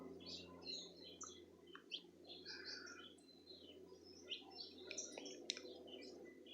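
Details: Several birds sing at once in Itatiaia, Rio de Janeiro, Brazil, February 2020: overlapping bright chirps, short whistles and high trills over a low steady background hum.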